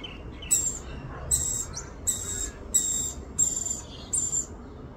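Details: Rainbow lorikeet in Australia, a mother feeding her baby: six harsh, shrill rasping bursts in steady succession, roughly one every 0.8 seconds, over a quiet background.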